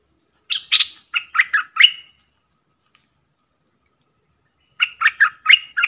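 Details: A caged decoy streak-eared bulbul, with wild birds circling nearby without landing, gives two bursts of five quick, chattering notes, each about a second and a half long, separated by a silent pause.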